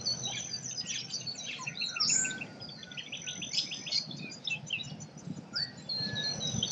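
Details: Birds singing in an Australian forest, softer and more distant, a tangle of thin high chirps and short warbled phrases running continuously over a gentle background hiss.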